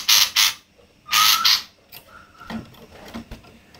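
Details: A female scaly-breasted munia gives harsh, rough, rasping bursts said to resemble a kingfisher, in two quick pairs, followed by fainter scratchy notes.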